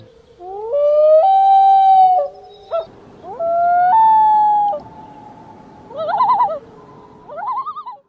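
Loon wails: long, clear, rising then sliding notes held over a second, followed by quavering, wavering phrases; a low hum of background noise underneath.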